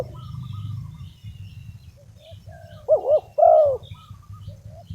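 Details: Decoy spotted dove calling to lure wild doves: two loud, husky arched coos in quick succession mid-recording, over a low rumble with faint chirping of other small birds.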